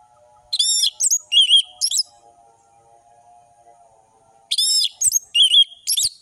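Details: Orange-headed thrush in ngeplong song with varied phrases: two bursts of sharp, bright whistled notes, some slurred and some clipped, separated by a long quiet gap with a faint steady hum.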